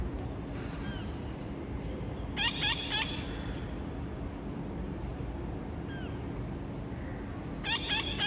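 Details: Wild parrots visiting near a house on a Saturday at 5:20 in the afternoon, August 30, a scout calling before three more parrots joined. Short harsh harmonic squawks with sweeping notes come in scattered bursts, including a quick triple, over a steady background hum.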